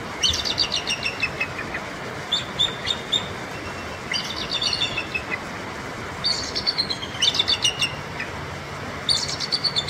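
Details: Three captive adult bald eagles in an enclosure at the Alaska Raptor Center, beside the rushing Indian River in temperate rainforest, give bursts of high, thin, staccato chirps in rapid giggling series, about five bouts over ten seconds, over steady broadband river noise.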